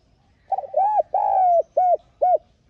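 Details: Decoy spotted dove calling to spur freshly caught doves into cooing: a single phrase of five deep, hollow notes, stuttered opening, long falling coo, then two short rounded coos, nothing else heard.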